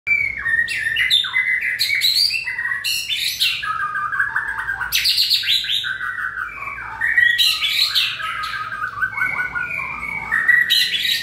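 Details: A white-rumped shama in fiery breeding condition, recorded 20 March 2020, sings a loud, continuous run of varied phrases: rich fluty whistles, quick slurred notes and sharp upward sweeps, with short pauses between bursts.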